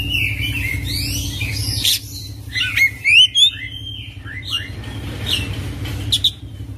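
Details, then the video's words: Oriental magpie-robin in full isian, ngerol song: a dense run of rising whistles and buzzy sweeps, then sharp repeated downslurred chips and upswept notes, about four per second, over a low constant hum. "Kacer Full Isian ngerol gacor dorrr"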